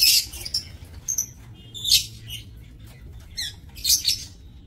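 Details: Lovebirds in an aviary, recorded 7 June 2024: harsh, shrill chirps and squawks in short bursts, roughly one every half second to second, with quiet gaps between.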